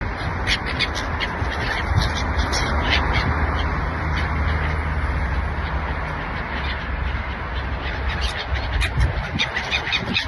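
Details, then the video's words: Many gulls over the sea in Oman call together in a steady chorus of harsh, nasal squawks and cries, over constant low rumbling of wind or surf. "Seagulls sound effect"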